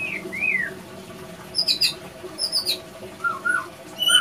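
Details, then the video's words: White-rumped shama pair, male and female fighting after a failed pairing attempt; scattered short whistled notes, some slurred downward, others high and clipped, spaced irregularly over a faint running-water hiss. "Tanda Murai Batu Tidak Berjodoh"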